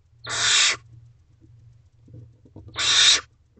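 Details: Barn owl owlets in a nest box at night, 10:56 pm on 3 May 2023, siblings letting one owlet eat a mouse unbothered; two harsh, breathy hissing screeches about two and a half seconds apart over a low hum.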